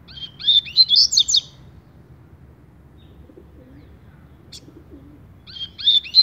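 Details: Double-collared seedeater (coleira) in tui tui song style: a burst of rapid high chirping notes, a long quiet gap with faint low sounds, then another short twittering phrase.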